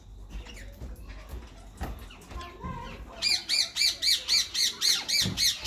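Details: A white male and a green ringneck parakeet in talking mode: after some mixed background noise and faint chatter, a fast run of regular shrill squawks, about four per second, fills the second half.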